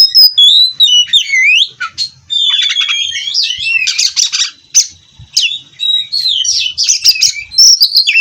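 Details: Oriental magpie-robin (kacer), bred in captivity, singing its rolling nonstop 'ngerol' song: looping whistled phrases and downslurs mixed with harsh buzzy rattles, delivered almost without break.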